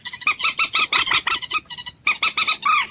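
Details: Common moorhen calling in quick harsh clucks packed closely together, a brief gap near the middle, then more clucks ending in one longer downward-curving squawk.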